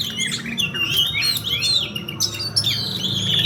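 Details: Rolling song of an Oriental magpie-robin during fighting: quick sliding whistles mixed with scratchy squawks and clicks, delivered continuously. A low hum runs in the background.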